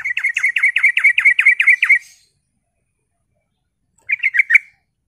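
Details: Sooty-headed bulbul lure song meant to prompt other bulbuls to answer: a rapid run of about ten bright, chirpy notes over two seconds. After a pause, a shorter burst of four similar notes follows. The recording is otherwise quiet.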